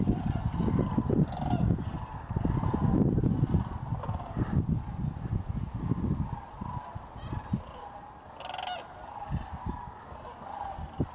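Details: A flock of overwintering sandhill cranes (Antigone canadensis) at Hiwassee Wildlife Refuge near Dayton, Tennessee, on the morning of 31 December 2023, gives overlapping rolling, trumpeting calls, with heavy low rumbling wind noise underneath.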